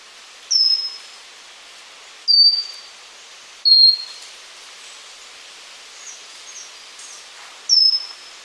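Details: A pygmy wren-babbler (Pnoepyga pusilla) sings single thin, very high whistles, each sliding slightly down, spaced one to four seconds apart over a quiet hiss.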